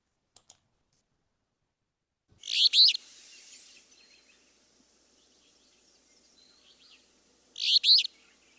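Alder Flycatcher gives two short, burry three-part songs about five seconds apart, buzzy and high; faint clicks open the recording, with quiet background hiss.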